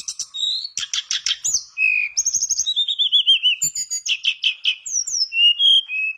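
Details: Lively mangrove blue flycatcher song played to coax quiet flycatchers into singing: rapid buzzy note bursts, then high whistles, a wavering descending run and sweet slurred phrases in steady flow.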